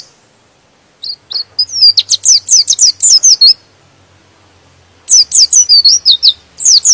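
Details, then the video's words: White-eye (pleci) song aimed at making other birds sing: a few soft high notes build into a dense run of sharp, down-slurred chirps, silence, then two more rapid bursts. "Suara Pleci ini bikin Pleci Lain Emosi dan ikut Gacor"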